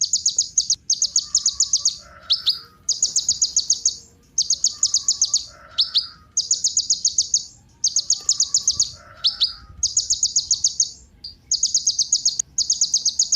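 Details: Kolibri ninja sunbird song meant to set other birds singing: dense high, buzzy trilled phrases about a second long, repeated every one to two seconds, with softer lower twitters in the gaps.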